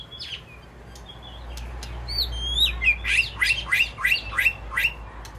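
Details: White-rumped shama in an aviary, calling to its flock: scattered clicks and high wavering whistles, then a rhythmic run of about seven loud downslurred notes roughly every third of a second.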